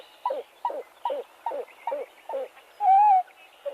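A Pied-billed Grebe gives a steady series of hollow, down-slurred cooing notes, about two or three per second, then one longer, higher whistled note.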